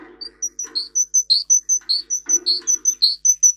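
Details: Russian singer canary, a breed kept for singing, recorded for training canaries to sing: clear high whistled notes alternate with lower, fuller notes, repeated about two to three times a second, over a soft low background.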